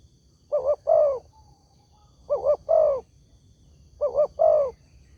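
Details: Spotted dove calling as a lure to get other doves to answer: three evenly spaced phrases, each two clipped coos then a longer rolling coo, repeated about every 1.8 seconds against quiet background.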